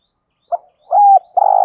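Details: Spotted dove in the 'thổ đồng' style, recorded to rouse doves in training. A quick short note, a smooth level coo and the start of a long, pulsing, buzzy coo are heard against silence.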